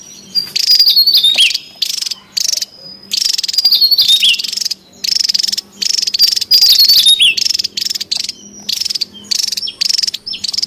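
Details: Wild Javan tesia, noisy and energetic: repeated high buzzy rattling bursts about a second long, separated by short gaps, with thin whistled slurs woven between them.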